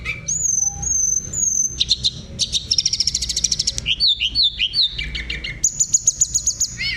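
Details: Sunda robin in full, fluent rolling song with flute-like notes, used to provoke other birds into singing: high sustained whistles, then rapid trilled rolls and quick buzzy rattles, shifting between phrases.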